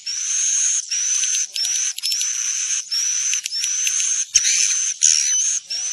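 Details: Swiftlet calls played to attract swiftlets to roost in a building: dense, buzzy high-pitched chirping bursts, each about half a second to a second long, with a thin whistled overtone, repeated almost without pause.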